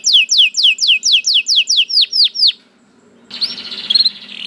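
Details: About a dozen sharp, down-slurred canary notes in steady quick rhythm, slowing slightly, then a pause and a noisy passage with a few faint chirps.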